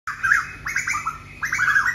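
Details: Asian koel calling in competition on an evening in a natural setting, 9 July 2022: loud squawky bursts of quick rising notes, three rushed runs in under two seconds, each note sliding upward.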